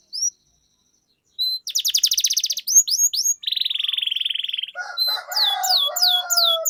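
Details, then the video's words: Canary training-lure song aimed at long rolls: brief opening note, pause, then a rapid buzzy trill, a few sweeping whistles, a steady fast-pulsed roll, and a lower tonal passage under descending whistled notes. "Suara Pancingan Burung Kenari Agar Cepat Gacor dan Ngerol, Masteran Suara Kenari Ngeroll Panjang"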